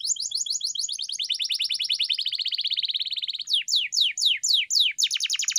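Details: Canary master song for teaching a pet bird: a fast, slightly falling trill, then a series of louder, spaced, downward-sweeping notes and rapid chips.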